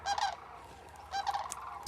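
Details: Sandhill crane near Tucson, southern Arizona, on 6 November, among thousands of arriving cranes: two loud, rolling, trumpeting calls about a second apart, rich and rattling, with faint background noise.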